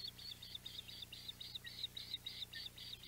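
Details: At the Audubon Boathouse nest, 14 July 2021, an osprey with a mackerel gives a rapid, steady series of high, piping chirps, roughly three to four per second, with a faint background hum.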